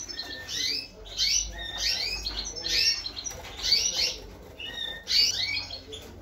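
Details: Goldfinch × canary hybrid, a 2022 bird finishing its moult, sings a lively twittering song of high, fast chirps and slurred notes, phrases bursting out roughly every second over a quiet low hum.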